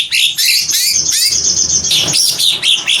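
Greater green leafbird in a fast, varied song of high chirps, sweeping slurred whistles and rapid twitters, tumbling out several notes a second with hardly a pause.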